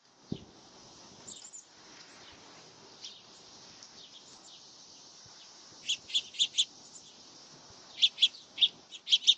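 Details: Birds chirping while eating: a quiet stretch with faint soft notes, then bright, sharp, high chirps in quick clusters of three to four near the end, with no other clear sounds.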